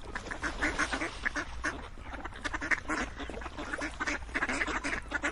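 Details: Several ducks quack continuously, rough nasal calls overlapping in quick, uneven bursts, some louder quacks standing out every second or so over a low background rumble.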